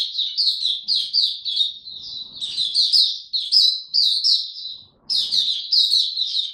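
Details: Oriental white-eye kept as a trained songbird pours out rapid, bright twittering notes almost without pause, one short gap around five seconds.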